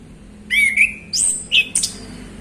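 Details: Male orange-headed thrush, relaxed afternoon ngeplong song used as a prompt for other birds. A slurred whistle leads into a high sustained note, then a lower chirp and a sharp, very high ending.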